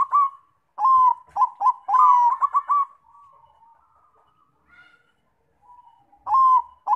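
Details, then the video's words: Zebra dove song serving as a lure to make other doves sing: bursts of stuttering coos and a rapid trilled run, a quiet fading tail, then fresh coos resume at the end. "PANCINGAN BUNYI PERKUTUT BANGKOK"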